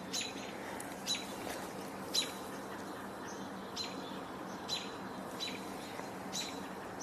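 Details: A couple of different chickadees vocalizing outdoors, giving short, high notes roughly once a second over a steady low background rumble.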